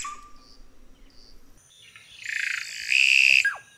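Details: Red-rumped cacique song: faint high whistles, then a loud harsh buzzy burst that ends in a steady high whistled note and a short downward slur.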